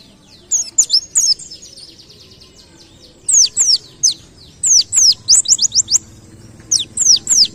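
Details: Pleci ngalas white-eye delivering canary-like 'nembak kenarian' song as a masteran tutor: shrill downward-sweeping whistles fired in quick clusters of four to six notes, separated by short quiet spells.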